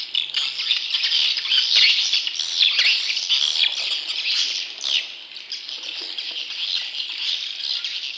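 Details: Swiftlet chick calls used to lure wild swiftlets: loud, harsh, squawking buzzes and twittering rasps in uneven bursts, dipping briefly around five seconds before resuming.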